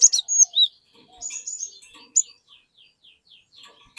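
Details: Lure song of the cinereous tit, meant to get untrained birds singing: a few piercing high whistles open, then a run of quick descending chips repeated evenly, ending with a sharp note.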